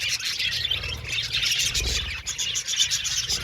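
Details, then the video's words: A budgerigar colony in an aviary chattering nonstop: dense, overlapping high chirps and warbling squeaks with no pauses, over a low background rumble. "Beautiful Budgies Chirping Sound | Happy Budgies Natural Sounds"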